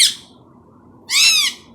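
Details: Hand-tame Indian ringneck parrot that speaks Urdu and Hindi, producing two bright, strongly harmonic bursts: a brief one at the start and a longer half-second call a second later, with quiet hum between.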